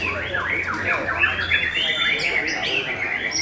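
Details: Contest-singing white-rumped shama, session 4: a run of quick downslurred whistles followed by a sustained, wavering whistled phrase and bright high notes, delivered fast and unbroken, with faint low hum and crowd murmur underneath.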